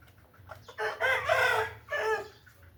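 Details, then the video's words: Aseel rooster crowing: a harsh, drawn-out crow with a strained middle section and a shorter closing note, over a low background hum. "Showing Aseel Birds with Orignal Sound"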